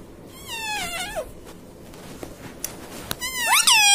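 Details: Ringneck parrot kept indoors, said to say mummy papa: a drawn-out, descending nasal syllable, a pause with scattered clicks, then a louder rising squawked syllable at the end.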